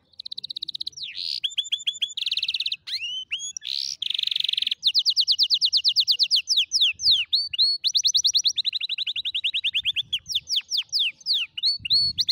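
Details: Singing canary meant to teach young canaries their song: a long, varied run of rapid trills, buzzy rolls, repeated rising whistles and falling sweeps, delivered almost without pause at a brisk pace.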